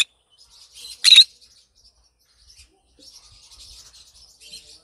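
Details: Green conure singing happily in the morning: a brief screech at the start, soft chatter, one loud harsh screech, then a stretch of low, continuous raspy murmuring.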